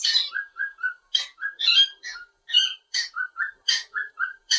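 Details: Indoor pet cockatiel singing through the day, alternating clear mid-pitched whistled notes with raspy chirps in a quick, irregular sequence of separate phrases.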